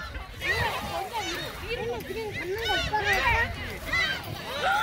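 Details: A flock of gulls on Seonjaedo, Korea, being fed shrimp snacks on 25 March, calling over one another: rapid, arched mewing cries with nasal overtones, overlapping almost continuously, against a low background rumble.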